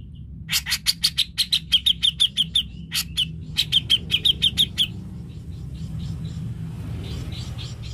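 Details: Cucak jenggot, or grey-cheeked bulbul, recorded as a stimulus for a bird that will not sing: a long series of loud, fast, harsh chattering notes in two runs, then quieter faint chirps over a low rumble.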